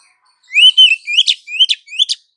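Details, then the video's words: Female Oriental magpie-robin calling the male, used as a lure: one clear phrase of four rising whistles, the first drawn out, each of the others capped by a harsh chip. "SUARA KACER BETINA MEMANGGIL KACER JANTAN"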